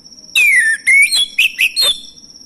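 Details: Male orange-headed thrush song serving as a lure for silent birds: a long descending whistle, a rising whistle, then several short bright varied notes, over a faint steady high tone.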